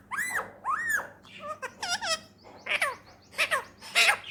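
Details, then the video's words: Talking pet ringneck parrot, a male Indian rose-ringed parakeet in Pakistan, speaks a phrase of arched and bending voiced syllables, rising and falling, in a steady speech-like rhythm over a low room hum. "talking parrot Mitthu || funny parrots video میٹھو بیٹے بولنے والا طوطا"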